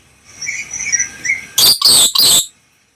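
Black lory: a few soft, high chirping notes, then three loud, harsh, rasping screeches in quick succession.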